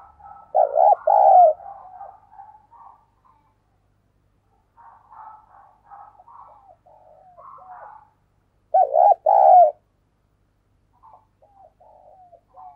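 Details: Decoy spotted dove used as a lure, giving thúc and gáy coos to call in wild doves; two loud, deep, throaty coo bursts near the start and again later, separated by softer, broken cooing notes and quiet gaps.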